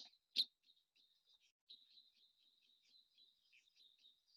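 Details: A chirping cisticola, heard on a boat trip during a Namibia, Botswana and Zambia birding tour, gives thin, high chirps in quick, uneven runs, with one sharp click near the start, over a quiet background.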